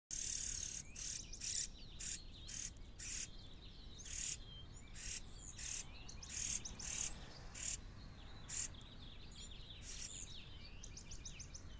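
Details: A junco feeds its chick. High thin notes repeat in rapid series, with short sharp chips and brief descending slurred calls, over a steady hiss of background noise.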